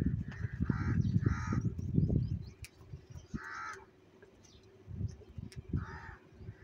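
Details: Crows squabbling over food, eating cheese: harsh caws in a quick pair, then single caws spaced about two seconds apart, under loud low thumps and rumbling background noise.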